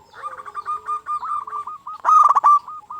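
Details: Local zebra dove used to rouse silent zebra doves into singing. A continuous, wavering run of rapid cooing notes flows into one loud, clipped, rattling trill near the end.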